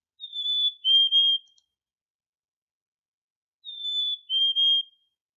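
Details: A male black-capped chickadee gives its spring song, a clear two-note whistle, a higher note then a slightly lower one, likened to 'hi, sweetie' or 'cheeseburger', heard twice about three and a half seconds apart.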